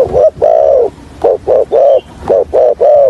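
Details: Calling and stuttering coo of a spotted dove used as a trapping decoy, hạp bổi style: rapid paired phrases of a short hoot plus a longer soft coo, about seven notes in three seconds.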